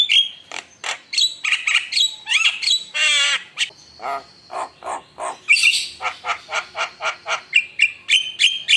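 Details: Lively Javan myna lure song meant to rouse rival birds: a rapid, varied stream of clicks, sharp chips and squeaky whistles, with a long grating rattle in the middle and a dense burst of high notes near the end.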